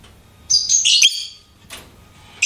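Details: Lovebird kept as a pet gives a rough, shrill burst of chattering chirps lasting about half a second, followed by a brief harsh chirp and another starting at the very end.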